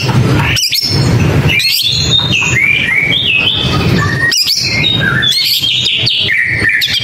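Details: Long-tailed shrike giving clear whistled phrases, level and slightly rising notes strung together, broken by a few loud clicks, with steady low background hiss.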